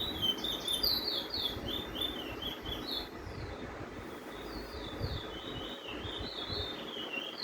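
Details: Chestnut-bellied (Lesser) Seed Finch of Venezuelan stock, as kept in Trinidad, sings the Venezuelan "withdrawal" roll: a steady run of bright, high chirps, one or two a second. A second bird faintly sings the same roll behind, over a low rumble.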